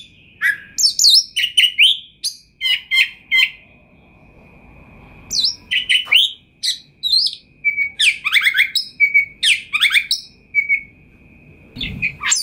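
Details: Gacor singing from a champion kacer (Oriental magpie-robin): bursts of sweet whistled notes and rapid descending trills, a short lull with steady background hiss, then denser clipped phrases and repeated short whistles.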